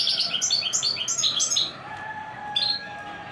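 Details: Royal goldfinch singing a quick run of bright, high twittering notes for about a second and a half. A faint steady tone follows, then one more short chirp.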